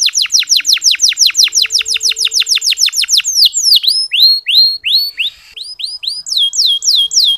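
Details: Canary singing in soft ngeriwik style, used to stimulate sluggish male canaries to sing: a rapid series of high downward-sweeping chirps, then slower upswept whistled notes repeated about three times a second, clear and unaccompanied.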